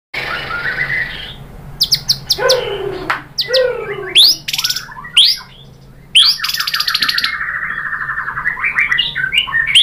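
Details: White-rumped shama song used as a lure to provoke other shamas into singing; loud varied phrases of clear whistles, buzzy downslurs and sharp high notes, ending in a long rapid rattling series with short silent breaks between bursts.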